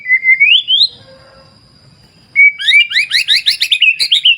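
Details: White-rumped shama, wild clear-river setting: a long rising whistle, a pause, then a fast run of about a dozen bright, chirpy up-sweeping notes, repeated several times per second, above a faint steady high tone.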